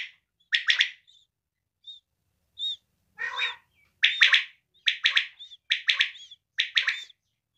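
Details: Female quail calling: bright, rapid three-note bursts repeated roughly every second, with a few thin whistled notes and one lower, raspy note in between. The background is quiet.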